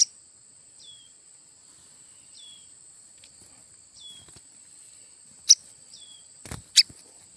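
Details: Nestling red-headed prenjak (tailorbird) found inside bamboo for a hut roof: a run of thin, high, down-slurred calls about every one to one and a half seconds, then sharp clicks and handling taps over a steady hum.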